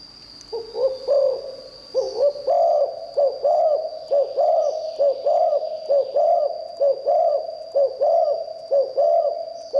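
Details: Spotted dove singing in the Thai liu tan style, praised for a fine voice and used to lure wild doves: low hooked coos run in a steady series, a thin constant high whine behind them.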